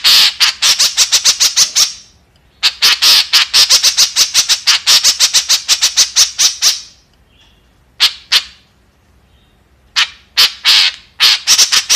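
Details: Long bouts of rapid, grating squawks from a singing white-breasted woodswallow, two extended runs of many notes separated by pauses, then a few isolated calls and a short closing burst.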